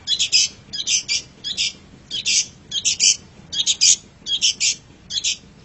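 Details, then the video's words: Long-tailed shrike master recording for pet bird training: harsh buzzy double and triple bursts, repeated roughly once every second in a steady rhythm. "MASTERAN GACOR - Suara Burung Cendet"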